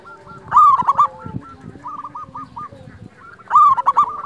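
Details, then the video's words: Lure recording of a local wild zebra dove: a loud rolling, trilled coo phrase, softer repeated trilled coos in between, then a second loud burst of the same rolling phrase. "Masteran pancingan perkutut lokal alam suara istimewa besar"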